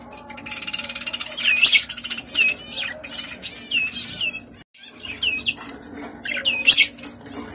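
Budgerigars chatter in sharp, high chirps and scratchy squawks, with bursts of rapid twittering.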